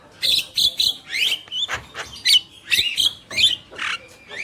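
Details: Javan myna pair, male and female, singing lively: a fast run of whistled and squeaky notes mixed with rasping buzzes, phrases tumbling together almost without pause.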